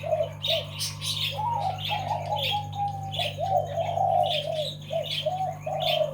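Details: Zebra dove delivering double-voice song: short coos at first, then long rolling, trilled cooing phrases strung together, over busy chirps of other birds and a constant low mechanical hum.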